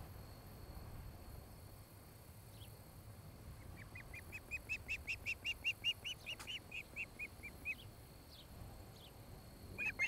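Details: Osprey on a nest in Charlo, Montana, captured by a nest camera on a July 2018 evening: after quiet, a run of about fifteen whistled chirps rising in loudness then fading, with a sharp click and scattered high notes.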